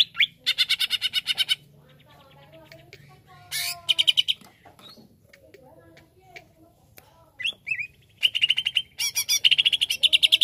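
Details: Greater green leafbird song used to excite another leafbird: bursts of fast, harsh, rattling notes open and close the passage. Between them come a few soft whistles and a quieter stretch with low murmuring, possibly a voice, under a steady hum.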